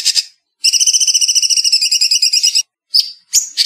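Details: Bulbul called cucak cungkok in the 'speed rapet' song style: a brief harsh burst, then a two-second rapid, even, buzzy trill, followed by two short sharp chips.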